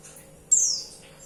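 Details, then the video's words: Calling female white-eye summoning a male: a bright, piercing, very high downslurred note about 0.3 seconds long, then quiet. "Suara pleci betina Bikin Emosi"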